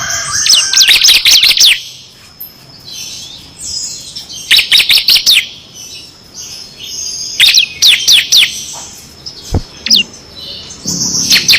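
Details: Bar-winged prinia performing full ngebren song with six variations, used as masteran for competition birds: three bursts of rapid high chirps and trills separated by short pauses, with a sharp click between.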